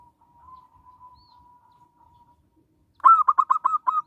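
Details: Zebra dove of a local strain, its voice used to coax other doves into song and as a lure; after a long faint steady tone, a quick burst of six punchy, rounded coo notes closes the recording.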